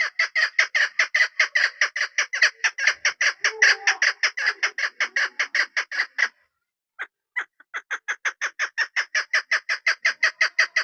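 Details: Rhythmic, harsh chuk-chuk series from a female chukar partridge used for hunting, about forty evenly spaced clucking notes, a short break near six seconds, then the rapid series continues.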